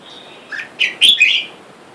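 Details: Red-whiskered bulbul call near a cage holding a wild-caught male and female while free birds call for a mate outside; soft lead-in note followed by three loud, liquid, up-and-down chirps within about a second.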